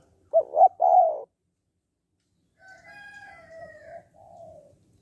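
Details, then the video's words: Spotted dove in the "hạp bổi" voice style, played to stir males to call fast: one low three-part coo, followed by a fainter, drawn-out crowing call from another bird. "Tiếng Cu Gáy Giọng Hạp BổI - THÚC Kích Bổi Nhanh Nổi"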